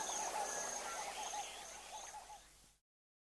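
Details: Double-spurred francolin at Abuko, close-up territorial call followed by quiet calls: soft, rapid repeated notes, about three a second, fading steadily over nearly three seconds and then stopping.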